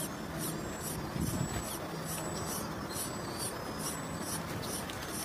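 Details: Begging by a little pied flycatcher chick that hatched late and often gets no food: a rapid series of high, sharp pulsed notes, evenly spaced, against broadband background hiss.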